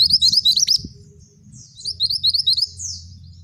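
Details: Male scarlet minivet singing: rapid series of high, thin, chirping whistles, clustered notes repeated in quick bursts with a short pause midway, over a faint low rumble.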